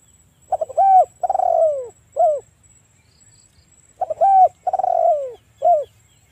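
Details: Spotted dove coo used as a lure to draw a rival into answering: a stuttering pair of notes, a long rolled coo falling in pitch, then a short final coo, the phrase heard twice about three seconds apart.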